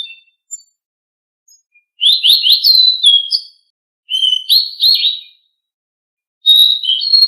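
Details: Blue-winged leafbird training song: quick series of rising slurred whistles strung into rolling phrases, three bouts separated by pauses, with no background noise.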